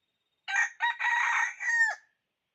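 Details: A red junglefowl rooster used as a decoy for wild birds gives one crow: abrupt first syllable, short second note, prolonged raspy middle and a falling, fading close, about one and a half seconds long.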